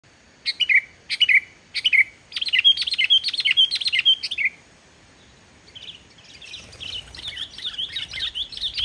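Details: Sooty-headed bulbul song used to stimulate bulbuls that are reluctant to sing: bright, bubbly whistled phrases repeated about every half second, then a softer, faster twittering run over light background rustle.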